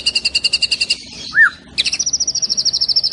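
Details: White-rumped shama with a rich mimicked repertoire in full rapid-fire song: a quick series of sharp repeated notes, a single low slurred whistle in a short gap, then another steady run of bright pulses.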